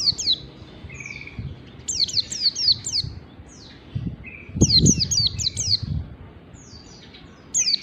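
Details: Caged-bird training song of a white-eye in ngalas bukpar style. Rapid series of high, falling whistles come in bursts, with brief buzzy lower trills between them and some low background rustling.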